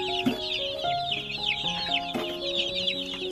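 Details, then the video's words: Dense high-pitched peeping from around a hundred baby chicks, loud and unbroken, over held musical tones in the background. "100 Baby Chicks Chirping Sounds"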